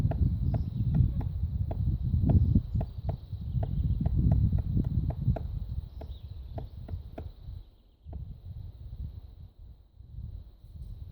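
Magellanic woodpecker tapping on wood, sharp knocks about three a second for seven seconds, then stopping, over a heavy low wind rumble and a faint steady high hum.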